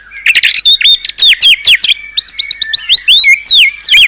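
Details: Murai batu, the white-rumped shama, in fierce-sounding isian song: varied high whistles, clear downslurred and upslurred notes in quick succession, with a few brief chattering trills between phrases.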